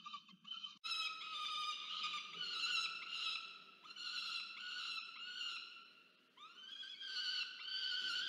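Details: Peregrine falcon nestling demanding food from its parent, recorded by a university nest camera in Orange, Australia, November 2022; after a brief soft start, long rasping screams, several beginning with a rising swoop, continue almost unbroken.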